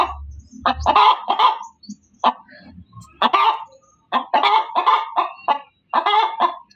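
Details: Loud cackling of a hen, uneven bursts of raspy clucks and drawn-out squawks separated by short gaps, over low rumbling background noise at the start.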